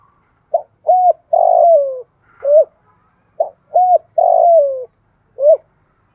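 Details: Spotted dove giving urging and calling coos in thổ pha voice: two phrases of a short note, a rounded coo, a long falling buzzy coo and an arched closing note, with a faint higher note between.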